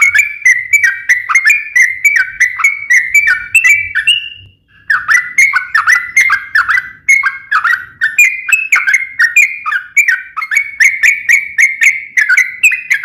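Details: Yellow-vented bulbul singing energetic long-running 'ropel' song used as a lure to make other bulbuls sing; rolling, bubbly whistles tumbling downward in quick succession, briefly pausing once before resuming just as busily.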